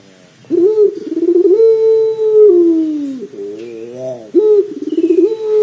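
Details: Pelung dove coos for prompting a dove to call sooner: a pulsing trill rising into a long steady mellow hum that droops, a wavering softer phrase, then another throbbing trill and level coo.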